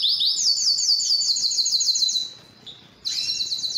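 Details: Canary song aimed at stimulating females to breed: a brisk, rhythmic series of upswept notes, a brief pause, then a sudden loud high trill.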